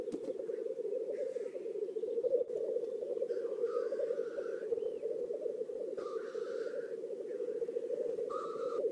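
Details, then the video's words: Lekking black grouse in an Oulu swamp, Finland, 5 May 2022, during courtship display: continuous low bubbling rookooing, broken by loud hoarse hissing sneezes with a tonal edge, four of them spaced a few seconds apart. "Black grouses lekking / la parade du Tétras-Lyre / Teeret soitimella"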